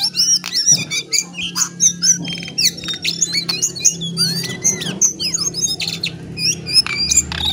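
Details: Lesser shortwing, called jongkangan or cingcoang coklat, pouring out a lively scolding warble of high chirps, rising and falling whistles and buzzy trills in rapid succession, accompanied by a constant low droning hum.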